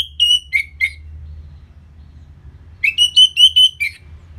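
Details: Orange-headed thrush song from Bali for post-moult aggression; a few clear whistles stepping downward, a pause, then a run of level whistled notes ending on a lower one.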